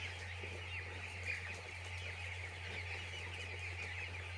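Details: Chicks on a poultry farm produce a soft, constant wash of high peeps with one brief louder chirp, under a steady low droning hum throughout.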